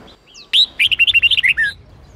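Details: Red-whiskered bulbul, Sông Kôn strain, in an 8-9-10 note training phrase: faint chirps, then a strong upswept note followed by roughly ten rapid, clear whistled notes ending on a lower drawn-out one.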